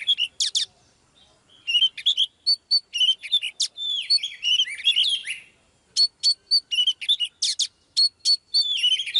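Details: A female Oriental magpie-robin sings to stir up and draw a male: bright, varied whistles mixed with sharp, high repeated notes and scratchy chatter in quick bursts, with short pauses between phrases.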